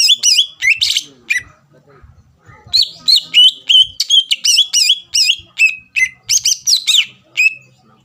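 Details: Greater green leafbird in spirited song intended to provoke rival birds to answer: quick bursts of sharp, rising-and-falling whistles repeated about three per second, with a short quieter gap near the start and faint low background noise.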